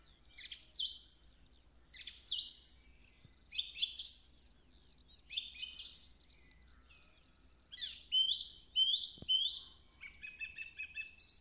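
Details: A song thrush sings loud, high phrases with pauses, including a run of three rising whistled notes repeated quickly, a mimicked "Woody Woodpecker" song, in woodland on 3 April 2020; the finding is song thrush.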